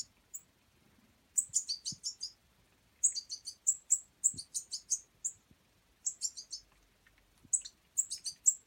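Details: A European goldfinch fledgling being fed gives bursts of thin, high, twittering begging calls, four to six notes at a time, repeated every second or so, with faint soft thumps.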